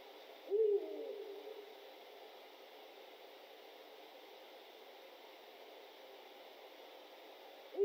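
Eurasian eagle-owl giving a single deep, booming hoot that trails off, with a second hoot starting about seven seconds later, over steady background hiss.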